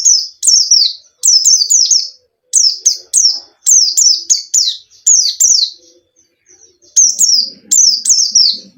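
A white-eye sings high, thin, twittering phrases of quick descending chirps, delivered in bursts with short pauses; faint low background noise.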